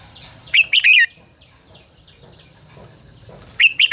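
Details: Red-whiskered bulbul singing to train other birds' voices: a rapid, bubbling three-note warble, a pause filled with soft high chirps, then the phrase starting again over a low hum.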